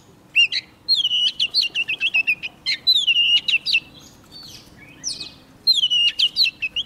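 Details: Young Oriental magpie-robin singing vigorously as a wild bird comes near: bright whistled phrases of quick, wavering notes between mid and high pitch, delivered in two rapid bursts separated by a short pause.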